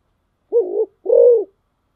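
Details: A spotted dove kept as a decoy utters a pair of deep coos, a shorter wavering note followed by a fuller, sustained one, with silence around them.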